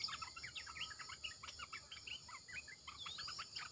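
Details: Red-eyed bulbul used as a decoy caller: busy, jerky chatter of short bubbling notes with an occasional rising whistle, backed by continuous high-pitched insect buzz.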